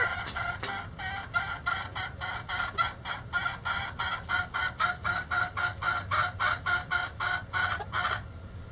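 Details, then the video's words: Hen giving the egg song, a steady cackle of short harsh notes repeated about four times a second for over eight seconds, with a rhythmic, pulsing quality. "Chicken Sounds Egg Song | Rooster Crowing"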